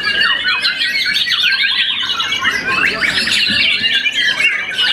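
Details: A once-moulted young White-rumped shama, bred in captivity and a contest winner, delivers a rich, busy song of overlapping whistled slurs and rapid twittering notes, unbroken throughout.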